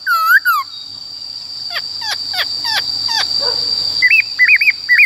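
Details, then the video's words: Black-throated laughingthrush, a female's many-voiced song used to stimulate and train males: loud, rich curving whistles, then five falling sweeps and bright rising whistled phrases over a steady high electronic whine; Black-throated laughingthrush. "Khướu Bạc Má HÓt Giọng Rừng"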